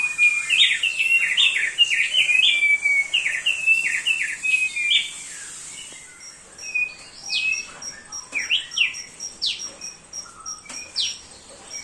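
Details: Thick-billed heleia in steady song for tutoring other birds: a dense burst of fast, jumbled chirping notes, then thinner, scattered high chirps with short gaps.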